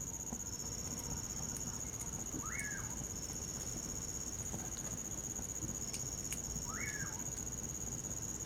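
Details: Bacurau, the common pauraque, whistling in winter: two swooping notes that climb and fall, spaced over four seconds apart. Crickets keep up a continuous shrill trill and a campfire crackles softly.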